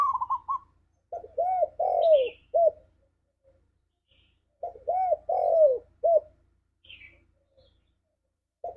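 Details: Spotted dove (tekukur) lure in the 'ngalas' singing style for pet doves: a rolling trill opens, then two full phrases of arched coos with a long sliding middle note, separated by a short pause; quiet background.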